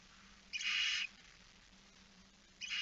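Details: Barn owl chick alone at the nest, 9 September 2019 at 20:09, giving one long, harsh half-second hiss, followed by the start of another, over a low steady hum.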